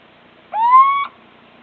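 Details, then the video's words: Little owl heard on 26 March 2014, mostly calling out of view: a single loud, drawn-out whistled hoot, rising briefly at the start and then held level for about half a second before stopping abruptly. "Steenuil roepen 26 maart 2014 (little owl)"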